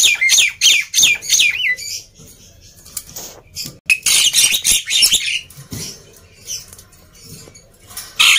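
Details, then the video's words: Black-winged myna singing noisily, used to prompt quiet birds to sing: loud harsh buzzy bursts and whistled notes, some rising then dropping, in rapid irregular phrases with short gaps between them. "Kicauan Burung Jalak Putih Gacor Ribut || Pancingan Burung Jalak Malas Bunyi"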